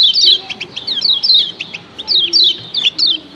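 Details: Female and male lemon-bellied white-eye call combination, meant to set all other white-eyes calling: sharp high chirps falling in pitch, grouped in short rapid runs separated by brief pauses, over a soft low background hum.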